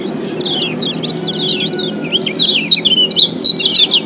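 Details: Kecial kuning, the Lombok yellow white-eye, singing a lure song meant to stir other white-eyes: sustained high twittering of quick down-slurred chirps, growing louder and denser toward the end, with a low background hum.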